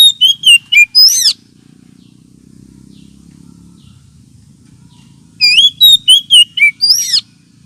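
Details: Oriental magpie-robin lure call, used as therapy for birds lacking aggression: rapid loud whistled phrase of slurred descending notes, several seconds of low background hum, then a second similar phrase of about eight notes.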